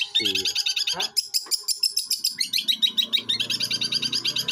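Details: Long-tailed shrike, eight months old, from Jember, East Java, imitating other birds without pause: a rapid stream of high chattering notes, with brief low sounds near the start.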